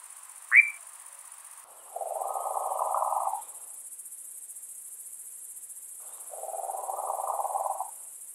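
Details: European nightjar at night in breeding season near a nest with eggs and chicks; a sharp rising note, then two quieter, more distant bursts of low purring churr, with a steady high insect-like hiss throughout.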